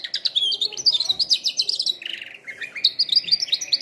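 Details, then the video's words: Singing canary for training canaries: fast, pulsing high trills in quick succession, switching to a lower rolling phrase around halfway before climbing back to bright, rapid chirping. "canary singing"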